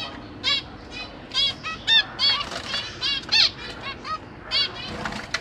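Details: Captive zebra finches, parents with three juveniles and three newly hatched babies being fed, give short nasal beeping calls in irregular bursts, several overlapping, with soft rustling and flapping underneath.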